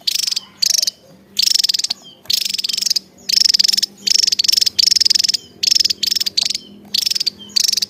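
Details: Actively singing Javan tesia pours out closely spaced, high-pitched, rapid pulsed trills, some bursts stretching to nearly a second, with hardly any pause between them; faint steady hum beneath.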